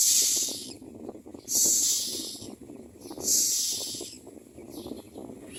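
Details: Common myna chicks calling for food while being fed: three loud, breathy, hissing screeches about 1.5 seconds apart, with fainter rasps and low rustling in between.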